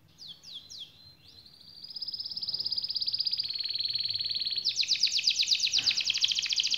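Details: Canary song in a long rolling 'gacor' style: a few sweeping whistled notes, then a sustained buzzy trill that grows louder and ends in a rapid, higher series of repeated notes.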